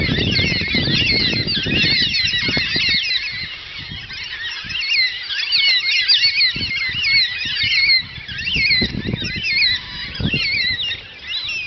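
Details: Black cockatoos on a farm on a Sunday morning, calling together in a continuous overlapping chorus of wavering, wailing squeals, with low rumbling thumps and wind noise early on.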